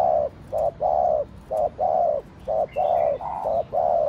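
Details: Rapid gù cooing by a spotted dove of the Thổ Đồng voice style: mellow low coos, short ones alternating with longer ones, almost continuous, and a few faint high bird chirps.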